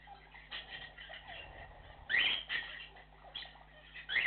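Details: Cockatiel flock call: harsh, rising screeching bursts, one loud near the middle and another at the end, with faint chattering between them over a steady low hum.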